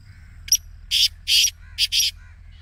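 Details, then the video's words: A Black Francolin gives its excited display call, a harsh, grating phrase of four or five rasping notes in about a second and a half, with faint background hum; played to captive francolins to make them call. "کالے تیتر کی مستی والی آواز"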